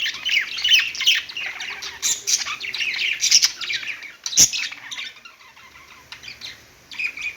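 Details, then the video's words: Budgerigar perch song, irregular chirps and buzzy warbling notes tumbling rapidly, loud busy chatter that thins into softer twittering toward the end. "budgies singing on perch"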